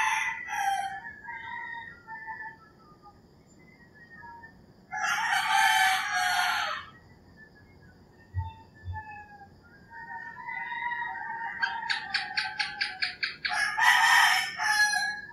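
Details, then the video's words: Roosters crowing in the early morning in rural Philippines: two long, harsh, strained crows several seconds apart. Between them are softer clucking notes and a rapid pulsed bird trill, with other birds singing in the background. "Crowing Roosters and Singing Birds"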